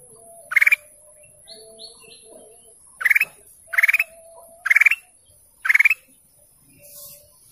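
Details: Golden canary calling: five short, bright upward-slurred chirps spaced roughly a second apart, with soft lower whistles faintly audible in the gaps.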